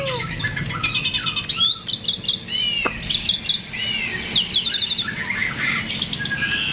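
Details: Lively myna in full song, used as a lure so other birds sing: busy mix of high chirps, arching whistles, clicks and buzzy trills in rapid, ever-changing phrases.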